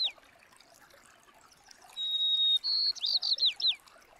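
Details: White-crowned sparrow at a Colorado campsite after rain, feeding on seed: a long, clear whistle, a higher whistled note, then a quick run of slurred, buzzy chirps dropping in pitch, over a faint trickle.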